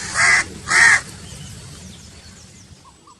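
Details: Crow giving two loud, harsh, hoarse caws in quick succession, each about a third of a second long. Faint thin chirps from small birds and a low rumble follow in the background.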